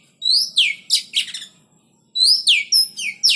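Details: Oriental magpie-robin being paired for breeding in a cage, uttering rapid high whistles, some rising, some falling steeply, in two quick bursts separated by a brief silence.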